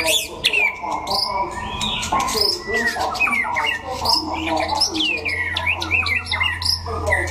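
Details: Đắk Lắk white-rumped shama competing in a song contest in Vietnam: quick varied whistles, swoops and sharp chips, with a low hum and human chatter behind.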